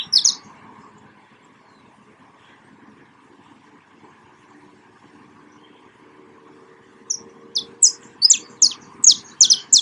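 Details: A saffron finch in nature gives a brief chirp burst, goes quiet for several seconds, then resumes with a lively series of high, sharp, repeated chirps over a faint low hum.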